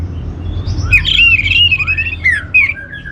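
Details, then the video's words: Orange-headed thrush singing, played as a lure to prompt other birds into song: a long, warbling, slightly rough phrase that wavers up and down, followed by short sharp notes, over a low constant hum. "ANIS MERAH Cor Suara Penggoda"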